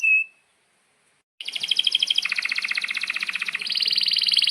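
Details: Canary in long-rolling 'ngerol panjang' song, for training young or non-singing canaries: a single whistled note, a second of silence, then an unbroken rapid buzzy trill that shifts pitch twice.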